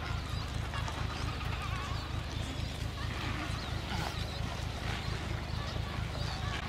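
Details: Adélie penguins in a breeding colony of about 150,000 pairs on Paulet Island, Antarctica, on 1 February 2019: a dense, overlapping chorus of harsh braying calls over a steady low rumble.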